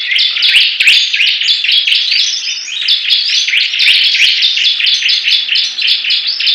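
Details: Several Bar-winged prinias compete in song, a steady dense stream of high, pulsing, buzzy notes in quick succession, with occasional sharp clicks.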